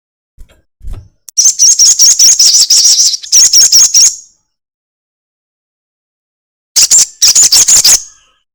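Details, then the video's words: Crested jay used as a lure to prompt other birds to sing, giving high, fast, buzzy rattles of evenly repeated notes in two bursts, a long silence, then a shorter rattle; a soft low thump comes at the start. "pancingan sogon ekek panjang"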